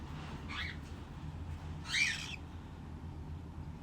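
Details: Cockatiel (Nymphicus hollandicus), call.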